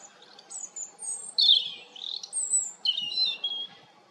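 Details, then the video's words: European robin song of fluid high whistles, with a louder falling slur in the middle and a final phrase of quick descending notes, over a faint background hum. "roodborst zang малиновка robin Rotkehlchen rouge-gorge"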